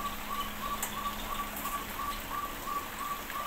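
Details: In an aviary, a crested partridge repeats a short mellow whistle about ten times in three and a half seconds, each note flat and clipped, against steady hissing background noise.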